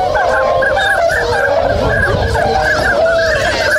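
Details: Many swans waking and starting to move at the Swan Village in Inzai, Chiba, Japan, on 16 January 2022; a dense chorus of overlapping honking and bugling calls, continuous and layered, with nasal notes rising and falling throughout.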